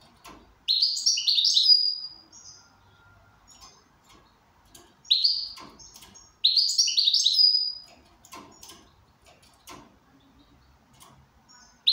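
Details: Goldfinch in good condition giving rapid high twittering phrases of jumbled chirps that close on a brief trill, three bursts in all, with scattered clicks and light knocking noises between them.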